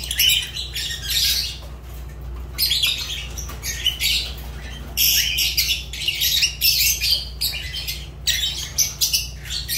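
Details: Loud, continuous shrill chattering from a pet Fischer's lovebird: harsh, scratchy squawks in long rapid bursts broken by short pauses, with a low electrical hum throughout.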